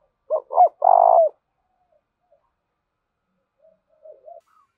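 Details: Spotted dove from Dong Nai, Vietnam, giving a lure coo to excite other doves: two quick upswept notes and one long buzzy coo, then a faint softer reply about three seconds later.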